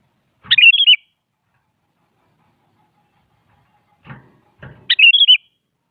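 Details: Morning challenge song of a sooty-headed bulbul toward a rival: two bubbly whistled phrases of several notes about four seconds apart, with soft low knocks or thuds between them.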